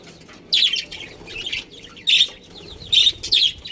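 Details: Breeding budgerigars in a colony utter short, loud, harsh chirps in separate bursts about every second, with softer warbling between them.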